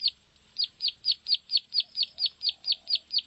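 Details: Plain prinia call used to attract the birds: after a brief pause, a rapid line of about twelve sharp, high notes, evenly spaced, with faint low whistles underneath.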